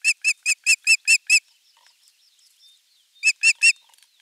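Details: Calls of an osprey at nest 3, Finland, morning of 23 June 2020, crucian carp arriving as the morning fish: seven quick shrill ringing whistles, a pause with soft faint chatter, then three more.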